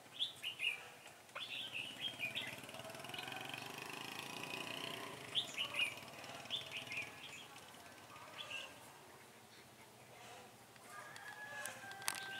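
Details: Red-whiskered bulbul used as a decoy while trapping, singing to lure rivals, recorded 18 September 2018: repeated short warbled whistle phrases and quick chirps, rising and falling, with quieter gaps and light rustling.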